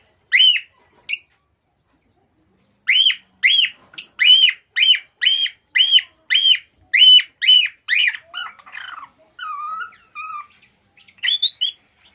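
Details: Male cockatiel giving an excited song meant to stimulate pairs to mate: bright whistled notes, each rising then falling, repeated about twice a second in a steady run, then lower warbled notes and a few short whistles at the end.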